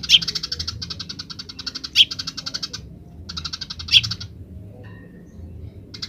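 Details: Wild Eurasian tree sparrow giving 'grece' chatter, long trains of quick, buzzy repeated chirps punctuated by a louder sharp chip about every two seconds, with brief pauses between runs.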